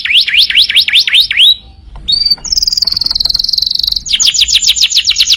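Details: Canary singing energetically as a master recording for training other birds: a series of rising swept whistles, a short pause, then a rapid buzzy high trill and a faster fluttering trill at the end.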